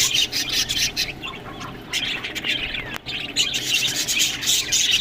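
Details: Budgerigars eating green food: a dense, continuous flock chatter of high, scratchy chirps and warbles with brief squawks. Loudness rises and falls, with a short pause near the three-second mark.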